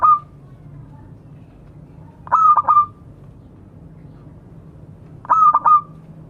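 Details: A vocal local zebra dove calls to its companions. A cooing phrase fades out at the start, then two full phrases follow about three seconds apart, each a quick burst of short notes ending in a level sustained coo.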